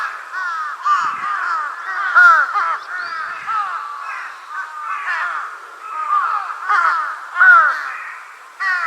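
Large-billed crow, a young bird, giving a steady run of hoarse, nasal caws, several overlapping each second, rising and falling in loudness without pause.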